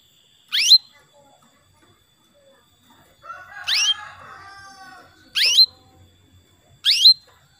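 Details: Female canary calling to a male, used to lure males into singing: four sharp upward-sweeping high notes, spaced irregularly, with a softer, lower chattering passage around the second note.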